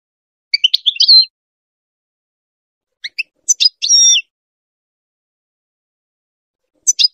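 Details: Goldfinch singing for teaching hybrid chicks: brief clusters of high twittering notes, then a fuller phrase with a drawn-out buzzy ending, and a final short chirp after a pause. No other sounds.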